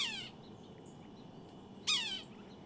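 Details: Nasal, downward-sliding squealing call of a red-breasted sapsucker, the tail of one call at the start followed by a full harsh mew about two seconds later, low hum behind.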